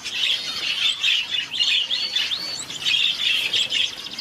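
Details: Begging from a star finch baby just two days old: steady high, thin squeaking with short rising and falling whistled chirps threaded through, forming a near-unbroken chatter.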